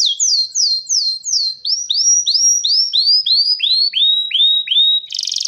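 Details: ['Male canary in breeding condition singing to draw a female: a steady series of hooked, falling whistled notes about three per second, ending in a brief rough buzz.']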